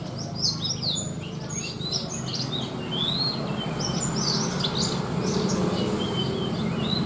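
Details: Horsfield's bush lark (branjangan) with a luxurious 'isian' repertoire, fit for contests: a jumble of varied high chirps, short slurs and whistled notes in irregular succession, with faint low noise throughout.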